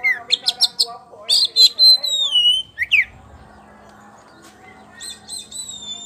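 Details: Kacer poci, a champion lure song of loud open singing: bright whistled notes, quick rapid bursts, then long sliding whistles falling from high to mid pitch, a brief pause and renewed high phrases over a low steady hum.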